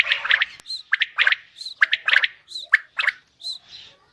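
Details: Female common quail delivering separate harsh chirps and squawks in uneven clusters, with thinner higher notes between them and a sharp click near the start.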